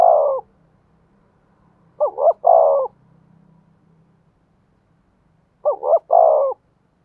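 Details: Spotted dove used as a decoy, singing the thổ voice style. It gives deep phrases of a quick two-part coo and a drawn-out, falling coo, repeated about every four seconds in quiet surroundings.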